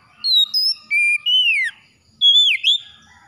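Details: Oriental magpie-robin singing clear whistled phrases, some steady and some sliding down steeply. A short pause follows, then a looping, dipping whistle and a brief final note, with no other sounds around.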